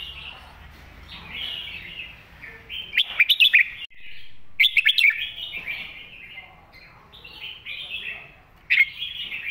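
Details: Master song of a red-whiskered bulbul, used for teaching young birds: long stretches of rolling, liquid warbles broken by two bursts of four or five crisp, emphatic notes and a final sharp accent.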